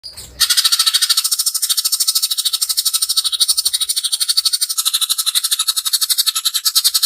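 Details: Greater green leafbird in the rough 'tembakan' burst style, played as a lure to make other birds sing and turn aggressive: a loud, rapid, buzzy rattling of harsh pulses, about four a second, running almost unbroken.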